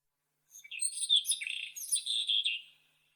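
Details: White-throated robin (Irania gutturalis) song: a rapid, scratchy phrase of jumbled chirps and buzzy notes at very high pitch, lasting about two seconds, with no other sounds.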